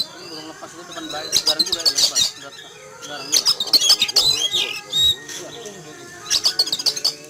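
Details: Caged Oriental magpie-robin sunning in a yard one morning, agitated after spotting an eagle flying overhead; three clusters of loud, rapid, scratchy high notes and squawks separated by quieter gaps, with a man speaking.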